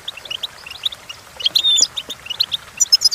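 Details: Goldfinch song for teaching goldfinches to sing: rapid high chirps leading into a clear sliding whistle and a loud buzzy burst, then more twittering and bright high notes.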